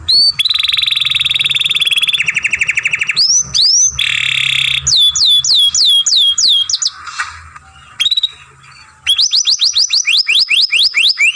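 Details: Young canary masteran used for song training, with long grating buzzy tours, swept rising and falling whistles, a brief soft pause, then rapid repeated chirping notes.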